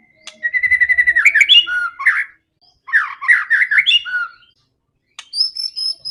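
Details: Fighting white-rumped shama for provoking other shamas: a steady, fast trill of repeated notes breaking into varied warbling, a second warbled phrase, then a thin high whistle series after a pause.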